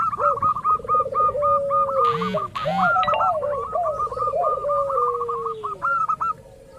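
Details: Local zebra dove lure recording meant to make other doves answer, with rolling trilled coos and long sliding notes under a fast run of staccato higher notes; two brief loud broadband bursts near the middle.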